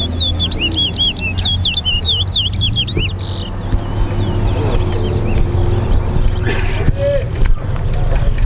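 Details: A chestnut-bellied seed finch (towa towa) in a bird-singing race at Lusignan bird ground, Guyana, sings rapid looping whistled phrases for about three seconds, then goes quieter, over heavy low rumble, crowd chatter and a voice counting its songs.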